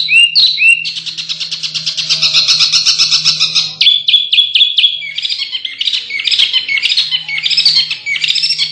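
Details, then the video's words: Canary song used as masteran training audio for contest birds; loud, continuous, fast trilled song with buzzy rolls, rapid repeated notes and high whistled phrases throughout, over a steady low electrical hum. "Masteran Burcil tarung Terbaik untuk Burung kontes #kenari"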